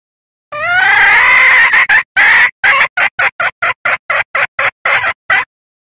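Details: Female red junglefowl calling the male, said to bring cocks and hens to a lure: a long, strained wail, then about fourteen short, choppy notes in a fast, slightly uneven series.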